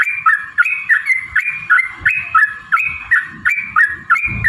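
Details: Lure recording of a Yellow-vented bulbul singing to draw rivals into singing and fighting; liquid, bubbly phrases dipping then rising, repeated about three times per second, over a constant hum and faint low rumbles.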